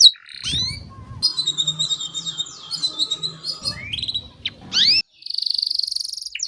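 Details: Canary song for training young canaries: scattered high whistled phrases and quick falling notes over low background noise, ending with a loud, steady high buzzy trill.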